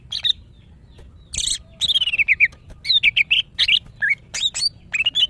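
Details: Female greater green leafbird in breeding condition, calling males: a busy stream of sweet whistled and slurred notes with a harsh rasp early on, delivered almost continuously in short phrases.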